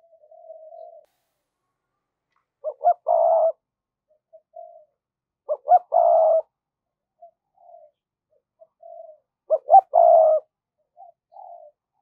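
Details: Decoy spotted dove in the "giọng thổ" voice, mixing "thúc" calls and coos to bring wild birds quickly to the perch: three matching phrases about every three and a half seconds, two quick low notes then a longer deep coo, with soft murmurs between.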